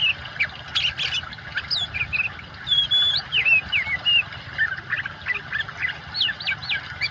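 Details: Energetic oriental magpie-robin song combined with water sound for training silent birds: a long high whistle, twisting slurred phrases, sharp chirps and looping notes in a fast varied sequence over constant flowing water.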